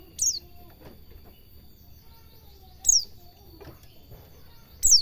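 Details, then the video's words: White-eye recording used to train cage birds to sing: three very high, thin, downslurred chirps spaced about two seconds apart over low background hum and faint clicks. "Suara burung pleci belajar ngalas cingjuitan"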